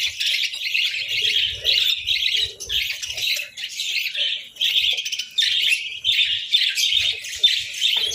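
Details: Budgerigars feeding on boiled eggs and bread on a winter morning keep up a continuous warbling chatter of rapid, raspy high chirps, some notes clear and whistled, with soft low thuds in the background.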